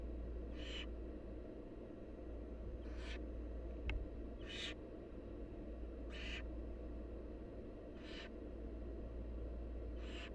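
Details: Begging nestlings of a wild barn owl while the mother brings food: six breathy, noisy screech bursts at irregular one-to-two-second gaps, one sharp click midway, steady low hum beneath.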